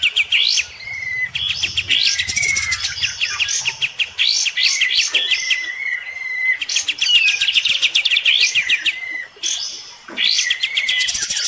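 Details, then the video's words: Bulbul (kapas tembak) bathing while battling a neighbour's kapas tembak sings fast without pause, mixing sharp chips, rapid trills and bright whistled notes with a harsh, scolding edge. "SUARA JAHAT KAPAS TEMBAK"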